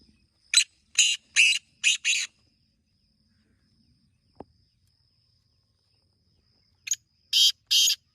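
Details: Rasping, scratchy calls of a black francolin, one run of five harsh notes, then a gap broken by a single click and a second run of three grating notes, in a quiet rural setting.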